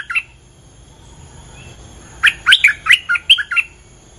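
A bulbul gives a single short note, then a quick bubbly phrase of about eight liquid, mid-high notes over a second and a half.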